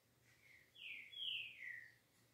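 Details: Trinca-ferro, or green-winged saltator, in smooth 'liso' song: a faint short whistle followed by two loud, long, downslurred whistled notes, over a steady low hum and background hiss.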